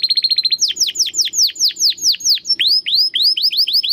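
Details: Domestic canary, a crystal-voice singer recorded to tutor competition birds: a fast string of short high notes gives way to loud, ringing down-slurred whistles repeated about twice a second, then rising chip notes, over soft low hum.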